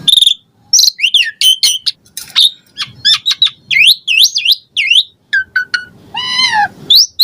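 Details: Jalak suren (Asian pied starling) pouring out a rich, varied song to stir caged birds: sharp chirps, rapid up-and-down whistled notes, buzzy chevron phrases and a harsh, stacked rasping note near the end.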